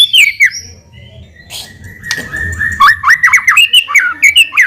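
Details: White-rumped shama lure song: a high slurred whistle, a quieter stretch with a thin sustained tone, then a lively series of zigzagging, rapidly repeated whistled notes.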